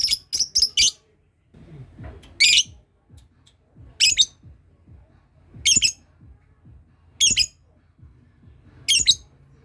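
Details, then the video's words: Lovebird learning to ngekek, its long trilling song, while other birds that hear it are set off calling: short, very high, harsh chattering bursts, a quick cluster of four, then single bursts every one and a half to two seconds over low background noise. "Love bird belajar ngekek ,yang lain dengar langsung terpancing bunyi"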